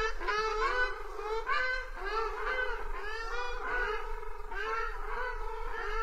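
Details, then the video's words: Honking of Ruddy shelduck: a rapid series of nasal, goose-like calls with stacked harmonics, several per second at times, continuing steadily across the recording with low background hum. "চখাচখি হাঁস পাখির ডাক রিংটোন | Ruddy Shelduck Bird Call | Hans Pakhir Dak"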